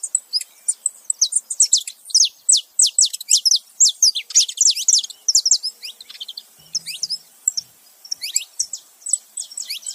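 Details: Saffron finch male and female together making noise: fast, overlapping high chirps and sharp slurred notes in irregular bursts, busiest in the first half, with a short quieter gap before more chirping.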